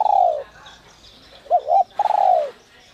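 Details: Spotted dove (cu gáy) with a 'giọng còi' whistle voice, kept for luring wild doves. A fading coo tail is followed by a full phrase: a paired short hoot and then a long, sliding, downward coo.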